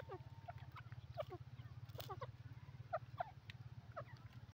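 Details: Grey francolin from India giving soft, short clucking notes at irregular intervals, some paired in quick succession, over a steady low mechanical hum.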